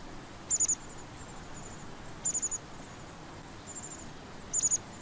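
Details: Long-tailed tit giving very high, thin, quick notes in short bursts of three or four, repeated about every two seconds. The notes sound faint against a steady hiss of background noise.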